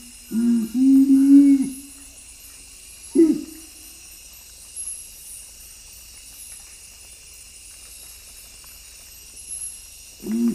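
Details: Nocturnal curassow, a strictly nocturnal bird of western Amazonian forest, giving its low booming song: a deep hummed note of over a second, a short boom, then another deep boom after a long silence.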